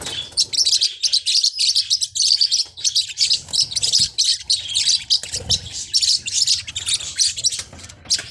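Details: Parrotlets of the genus Forpus chattering almost nonstop: sharp, high-pitched chirps packed into fast bursts roughly every half second, over a steady low background hum.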